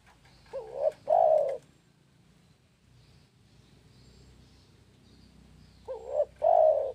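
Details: Spotted dove song with two mellow coo phrases, one at the start and one near the end. Each opens with a quick, bending note and ends in a sustained, hollow coo. A steady low hiss and faint rumble fill the long gap between them.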